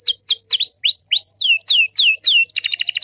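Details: Singing canary, used as a training song to get other canaries to reply: a string of clear, falling whistled sweeps, each one distinct, ending in a very fast bubbling trill.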